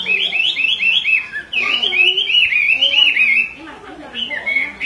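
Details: Female Chinese hwamei calling repeatedly while a male grows agitated, the calls meant to stir males into singing; a rapid run of slurred whistled notes, rising and falling, about four a second, then a brief lull and more whistles.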